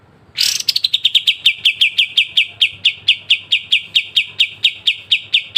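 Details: Pied triller in a sharp besetan song made for training songbirds: a loud harsh opening burst followed by some twenty-five rapid, even, clicky notes that slow slightly over the phrase.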